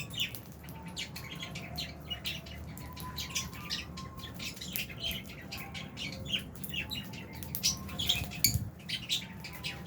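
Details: A flock of albino and Fisher's lovebirds in an aviary keeps up dense, rapid high chirping and twittering throughout, many birds calling at once over a low hum.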